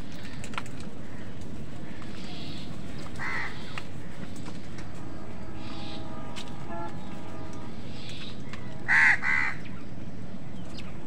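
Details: Mostly quiet background with faint distant calls, then a harsh double crow caw near the end, as wild birds and crows struggle over food.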